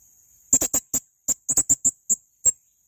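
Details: Male blue-crowned hanging parrot, tutor recording: a run of about a dozen brief, sharp, very high clicks and chirps, delivered unevenly, some bunched closely and others spaced half a second apart.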